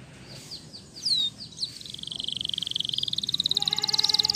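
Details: Waterslager canary singing at lower volume: a few scattered sharp chirps, then a rolling high trill that gradually intensifies, with a faint lower tone entering near the end.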